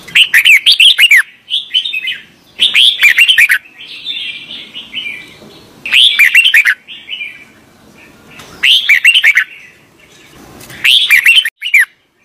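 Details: An Indian red-vented bulbul (Pycnonotus cafer) gives loud, bubbly chirping phrases in bursts every two to three seconds, with softer fluty notes between them.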